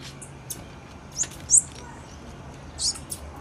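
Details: Short, high, squeaky chips from a female blue-black grassquit, a few loud bursts separated by quieter ticks, set against a low steady hum.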